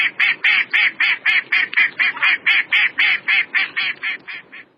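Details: A Mallard gives a fast, even run of about eighteen loud, nasal quacks, nearly four per second, fading slightly at the end.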